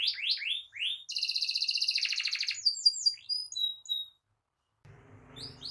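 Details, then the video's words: Canary singing gacor ngerol as tutor and trigger song for other canaries: rising chirps, a long buzzy rolling trill, high whistles, a silent gap, then faint background noise. "Kenari GACOR NGEROL Cocok Jadi Masteran Burung Kenari PAUD dan Pancingan Kenari MACET BUNYI"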